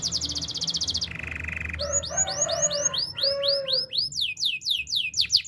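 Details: Singing canary, a song meant for training other canaries: a high rapid trill, a lower steady buzzing roll, then repeated quick down-slurred whistles, with soft background hum and a faint lower tone underneath.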